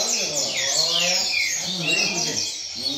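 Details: Double-collared seedeater at a singing circle, delivering a steady rain-song style: rapid high whistled notes and sweeping downslurred phrases, continuous and dense, with faint voices underneath.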